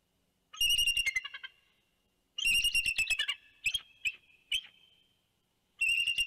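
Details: Bald eagle pair at their Big Bear nest on 2 January 2019 give alarm calls at a passing large bird, possibly a juvenile bald eagle: high, thin chattering, rapid piping notes in three loud bursts with quieter squeaky trills between.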